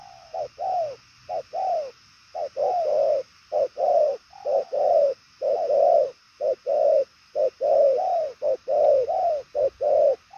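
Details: A purple-legged spotted dove gives a long, even run of deep coos. Short and longer hollow notes alternate about once a second with quiet gaps, in a regular rhythm throughout.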